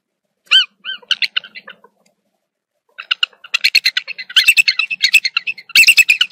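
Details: Bald Eagle at a South Florida nest in Dade County on the morning of 1 January 2023, the female apparently amorous, gives thin, high piping notes, pauses, then breaks into a rapid, squeaky chattering run of staccato chirps.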